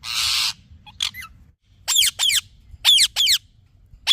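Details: Parrot giving a harsh squawk followed by paired high chirps that drop sharply in pitch, coming in quick doublets separated by short pauses.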